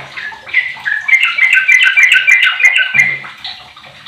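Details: A yellow-vented bulbul said to be 15 years old, used as a lure to get other bulbuls singing, sings a fast, bubbly run of liquid chirps and warbled notes, rising and falling over about two seconds, with faint background hiss.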